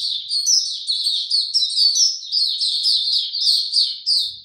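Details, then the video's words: White-eye in captivity without health supplements, 29 April 2022, singing clearly: a fast, high, liquid twittering of short sliding notes run together, in a quiet setting. "Mata Puteh Hercules buka sing"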